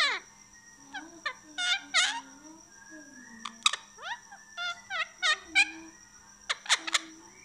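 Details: Indian ringneck parakeet kept as a pet, talking indoors. Clusters of squeaky, chattering syllables alternate with brief shrill up-and-down notes over about seven seconds, with a soft constant hum in the room.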